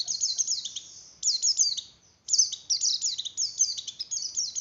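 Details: White-eye song from Indonesia, played to raise breeding drive in other white-eyes; fast high-pitched twittering in three bursts of quick falling notes separated by short gaps, clean and without other sounds.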